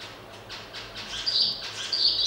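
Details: A zebra finch pair gives short, nasal, high-pitched calls during courtship and mounting.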